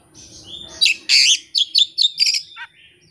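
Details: Oriental magpie-robin, a hobbyist's songbird, singing its learned isian with no tutor or opponent: a loud rasping burst followed by a quick run of five bright chirped notes, then a fading whistle.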